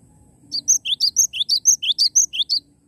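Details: Cinereous tit, a live bird singing actively: a brisk run of about twelve sharp, high whistled notes over two seconds, alternating a piercing upper note with a lower rising slur in quick two-note phrases, with a faint low hum behind.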